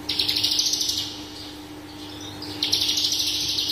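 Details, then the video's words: Horsfield's bush lark, parva, delivering busy song packed with varied notes: about a second of quick high trilled chirps, a quieter stretch, then a renewed rapid burst, steady low hum in the background. "BRANJANGAN parva gacor dor full isian"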